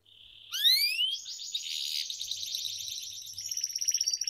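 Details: Atlantic canary, a domestic canary used in singing training, gives a long upslurred whistle followed by a dense buzzy trill and a faster rattling series toward the end.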